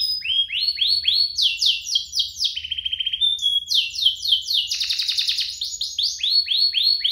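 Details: Canary duo singing energetically, recorded to coax other canaries into song and teach young ones: bright falling sweeps repeated about four per second, a quick dry rattle, a buzzy chattering trill, then more swept notes.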